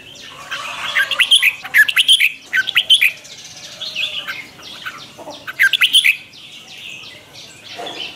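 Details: Lure song from a red-whiskered bulbul, morning training in the twisting chè style: two clusters of loud, sharp, warbled whistle notes separated by a quieter stretch of softer chatter.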